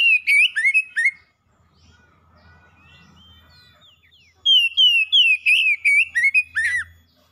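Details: Pet oriental magpie-robin song, used as a lure to make a silent caged bird sing freely: a loud one-second burst of rapid, slurred whistles, three seconds of near silence with a faint low hum, then a longer run of ringing, rising-and-falling whistled phrases.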